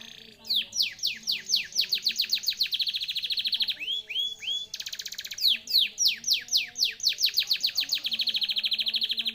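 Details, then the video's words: Canary song used as a lure to make a silent canary sing again: rapid repeated downward-sweeping whistled notes in fast trills, switching phrase types every second or two, with faint background noise. "Pancingan burung kenari macet dijamin ampuh untuk bunyi kembali"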